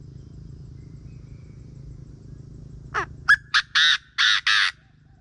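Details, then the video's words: Morning call of a Chinese francolin used as a lure bird: after low rural hum, a rising scratchy note opens a run of five or six loud, harsh, clipped syllables in quick succession. "เสียงนกกระทาทุ่งยามเช้า มีไว้สำหรับต่อ"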